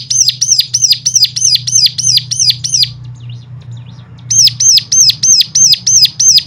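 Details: Rapid high arched notes repeat about three per second, pause for over a second with faint twitters, then resume; the song is meant to get other cigun singing.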